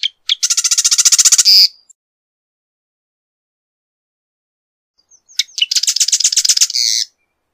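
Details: Marsh wren giving two loud, rattling songs several seconds apart, each a machine-gun series of quick, harsh, repeated notes ending in a brief, higher flourish.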